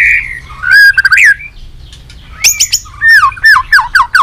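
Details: White-rumped shama, a three-season bird, in competition fighting song: a sweet opening whistle, then quick bursts of descending slurred notes and high metallic chips repeated in rapid groups after a brief pause.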